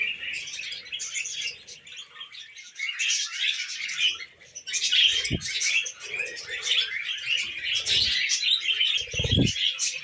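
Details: High, chattering warbles from a group of tame pet budgies run throughout, with brief sharp knocks and low thuds in the second half.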